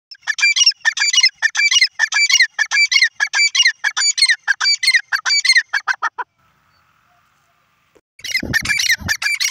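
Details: Grey francolin (teetar) calling: a rapid series of harsh, ringing, multi-note phrases repeated about one and a half times a second for six seconds, a short pause, then the loud chattering resumes.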